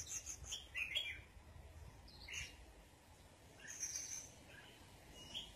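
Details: Sunbathing red-whiskered bulbul giving quick, high chirping notes in short bursts near the start, a single call midway and a brighter cluster later, all over steady low background noise.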